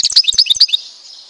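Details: European goldfinch of Tizi Ouzou, Algeria. A short flurry of sharp, high chirps and twittering notes fades into a faint hiss.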